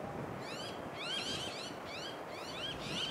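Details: On the Sunshine Coast, Queensland, in September 2021, an eastern osprey gives a steady run of sharp, upward-sweeping whistled cheeps, four groups in three seconds, over a strong rushing background of wind or surf.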